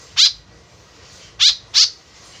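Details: White-breasted woodswallow call used as a lure: one harsh, grating note, a pause of over a second, then two quick rasping notes in close succession, over steady faint noise.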